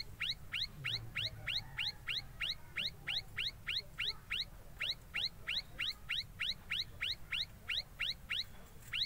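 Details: Ashy tailorbird (Orthotomus ruficeps) chirping while building its nest: sharp, high, upswept chirps, about three a second, in a steady run with one brief pause, over a low background rumble.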